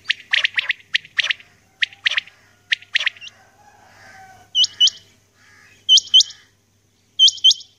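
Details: Female common quail calling in the early morning: a burst of harsh, scratchy chirps gives way to doubled, sharp upswept notes, repeated about every one to two seconds.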